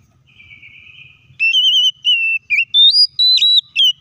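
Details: Oriental magpie-robin song used to provoke other magpie-robins into singing. A faint wavering tone gives way to a string of clear, pure whistled notes, each held briefly, stepping up and down in pitch.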